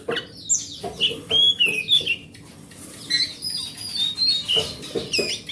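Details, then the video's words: Forest oriental magpie-robin singing, as lure material for a silent magpie-robin. Sharp chirps and bright downslurred whistles come in separated bursts, followed by a quiet gap and then a run of higher warbled notes. A faint hum runs underneath. "Suara Master Burung Kacer"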